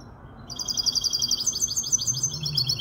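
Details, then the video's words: Goldfinch hybrid, five months old, Malaga hen cross, Casablanca: silence, then a sudden burst of high, fast twittering, repeated buzzy chirps and rolling trills filling the rest, faint low hum beneath. "تغريد هجين الحسون كوبية ملقا 5 أشهر"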